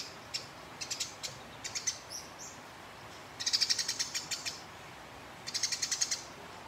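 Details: House sparrow fighting a rival, giving a long rolling, harsh chatter: several bursts of rapid, dry, high-pitched ticking notes, with the densest rattles near the middle and end. Other sounds are faint.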